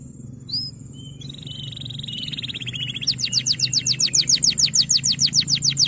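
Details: Male canary song played to train young canaries. A single high chirp and soft twittering over a low hum build into a fast rolling trill of repeated downslurred notes.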